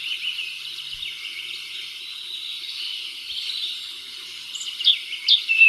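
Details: European robin song from an RSPB recording, sung with all his might and main: a soft, high, thin warble rambling along, ending in brighter sharp whistled notes.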